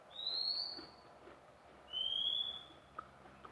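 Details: Newly acquired magpie-robin gives two prolonged, clear whistles. The first is higher and gently rising, the second lower and level, followed by a short click.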